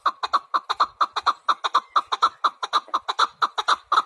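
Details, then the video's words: Rapid chukar partridge calling: loud, clipped chuk-chuk notes tumbling out about twice a second in an unbroken, fairly even run. "Кабки сурак кариб маст шавад Keklik الحجل Куропатка Partridge"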